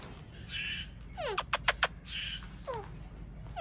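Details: Pet Indian ringneck parrot, also known as Kashmiri Raw parrot: harsh raspy screeches mixed with a rapid burst of four loud sharp notes and falling squeaky calls, over a low background hum.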